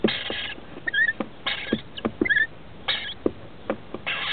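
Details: Two young rainbow lorikeets, 21 and 17 days old, nesting in a roof cavity while adults come in to feed them; rasping bursts alternate with brief whistled squeaks and soft scratching and tapping sounds.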